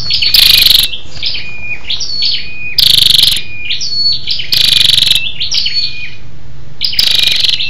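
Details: {'t': 'Female scarlet-backed flowerpecker calling to stimulate males, a lure call for wild birds: sharp, high rapid-ticking bursts about every two seconds, linked by thin, high, slurred whistled notes over faint low hum.'}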